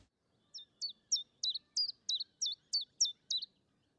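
A Common Chiffchaff sings ten high, clipped notes at about three per second, see-sawing between two pitches in its steady 'chiff-chaff' rhythm, against a quiet background.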